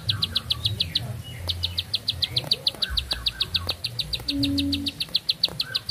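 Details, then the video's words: Bar-winged prinia singing a long unbroken song: a rapid, even string of high, sharp chipping notes, about six per second, running throughout. Faint lower chirps sound in the background over a steady low hum. "Nafas Panjang, Nembak Satu Lagu, Ciblek Sawah Gacor"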